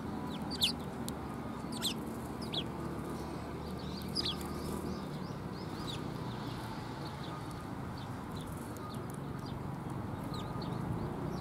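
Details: Sparrows, recorded 20 December 2020: short, high chirps and quick downward-slurred notes repeat irregularly throughout, fairly faint, over a steady low background rumble.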